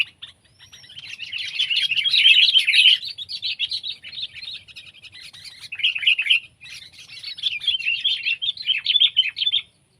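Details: Sooty-headed bulbul (kutilang) from Indonesia, in a comparison of pet and wild birds: dense bursts of bright, chattering chirps in quick irregular runs, with short pauses near the middle and a faint low rumble beneath.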